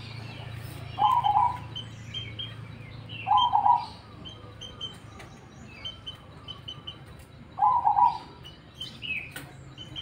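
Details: Actively singing cemani zebra dove delivering three separate bursts of bubbling, trilled low coos a few seconds apart, while other small birds chirp thinly and repeatedly in the background.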